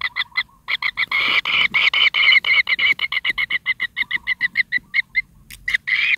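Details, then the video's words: Kingfisher chick begging as its mother feeds it large rats one after another; loud harsh, rasping squawks repeated in a rapid, uneven series of about three per second, with a short pause near the end. "BABY TENGKEK"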